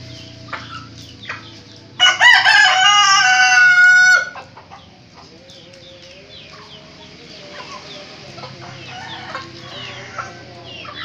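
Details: Rooster, one of three brother roosters crowing back and forth, gives one loud, ringing crow of about two seconds, followed by quieter background sounds.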